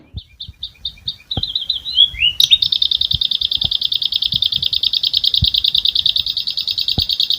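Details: Asian pied starling (jalak suren) in the rolling song with imitations called ngerol isian, learned through tutoring. It opens with short repeated chirps, then a twisting slur, then a long rapid buzzy trill sustained without a break. Faint low taps underneath.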